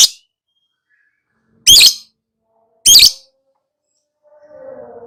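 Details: Lovebird calling in the style described as ngekek, a long chattering delivery: three loud, harsh, shrill squawks spaced over about five seconds, followed by a faint low hum at the end.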